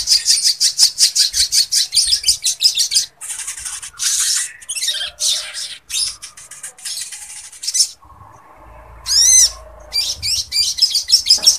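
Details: Lovebird song used for training other birds and raising breeding readiness: rapid buzzy chattering notes repeated about three times a second, broken by rising and falling whistled sweeps and harsher noisy bursts, with a faint low hum underneath.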